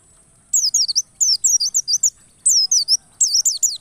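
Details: White-eye tutor/lure recording meant to provoke emotional, persistent singing: four quick bursts of very high, rapid twittering notes sweeping up and down, with a faint steady high whine behind.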